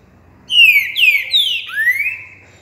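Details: Trinca-ferro (green-winged saltator) singing the three-note boiadeiro song on 28 January 2020: two loud whistled notes sweeping downward, then a third clear whistle sliding upward, clean and ringing with little background noise.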